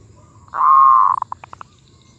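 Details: Zebra dove cooing in a medium voice: a strong sustained coo held evenly, breaking into roughly eight quick clipped notes that grow sparser and softer, against faint low rumble.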